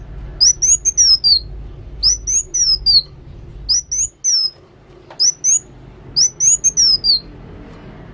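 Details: Kolibri wulung sunbird singing actively: bursts of three to four high, thin whistled notes, each slurring down at the end, repeated about every second with short pauses between phrases.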